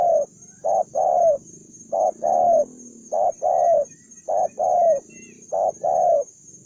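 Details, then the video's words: Aggressive, fight-ready spotted dove, one freshly trapped wild bird; hoarse coos grouped as a brief note followed by a longer drawn-out one, the pattern recurring steadily, with a constant thin high whine and low background rumble. "cu gáy- bổi 01 con đồng son hung hăng hiếu chiến như bọ xít"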